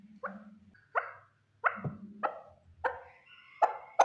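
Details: Male partridge giving hoarse, separated notes that quicken and sharpen toward the end, with a faint low hum underneath.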